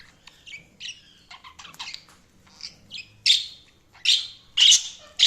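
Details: Budgerigar chirping, starting with soft twittering warble notes that build into four loud, harsh squawky chirps at a steady pace near the end.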